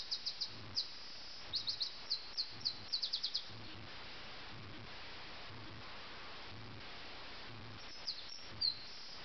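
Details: Sussex nightingale at 4 a.m., 30 June 2010, opening with scattered high chipping notes and then short rapid clusters of repeated notes; after a few seconds the singing fades into steady background hiss with one late note.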